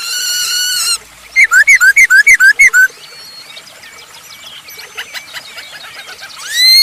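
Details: Masked laughingthrush singing loudly as a lure for other birds: a strong whistle at the start, then a rapid run of about ten looping whistled notes, followed by softer chattering and another loud rising whistle at the end.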